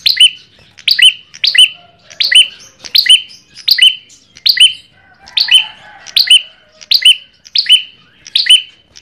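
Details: Ashy tailorbird for luring birds, repeating emphatic, sharp chirps about a dozen times at an even pace, each note sliding downward with a shrill ringing top, faint murmur underneath.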